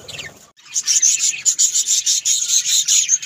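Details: A short pause, then pet budgerigars start up a steady, scratchy, rasping twitter that pulses rhythmically for the rest of the moment, high and busy.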